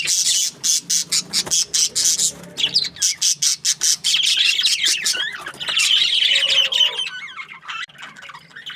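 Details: Budgerigars, breeding pairs kept in an aviary: a run of sharp, evenly spaced high chirps for about two seconds, then dense overlapping warbling chatter from several birds, fading toward the end.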